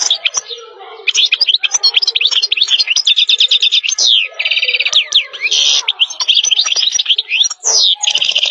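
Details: {'caption': 'European goldfinch song: a continuous, loud, twittering jumble of quick chirps, buzzy trills and sliding liquid notes, delivered nonstop for about eight seconds.'}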